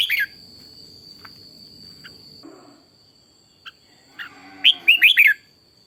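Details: Morning song of a trained decoy Red-whiskered bulbul in fiery form: a loud burst of four or five quick, looping whistled notes near the end, with a brief phrase at the start and soft low rustling between.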